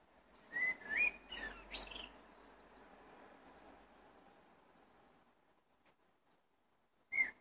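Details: Blackbird song with a rich whistled phrase of rising and falling fluty notes, a few squeaky high accents, then a long hush before one more brief whistle at the end.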